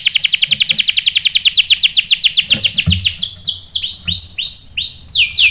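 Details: Canary lure song aimed at getting canaries to respond with a sharp roll: a rapid rattling trill that gradually slows into separate, loud, downward-swooping whistled notes.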